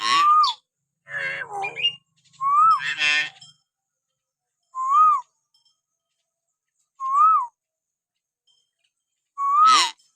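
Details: Common hill myna giving natural whistles, used as a lure to provoke pet mynas into calling: loud rising-then-falling whistles repeated every two to three seconds, mixed with harsh rasping and chattering notes early on.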